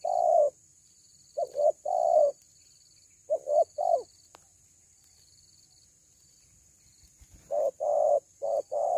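Deep, mellow coos from a dove, mostly in quick pairs with pauses of a second or more between groups, over a faint steady high hiss.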